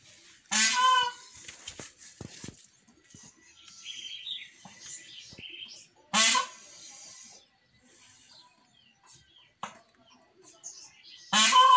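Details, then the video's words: A startled Indian peafowl male in the early morning gives three loud, harsh, nasal screams about half a second each, several seconds apart, amid quieter bird chatter and rustling; the owner suspects a passing cat or dog. "SOM DO PAVÃO/ GRITO DOS PAVÕES"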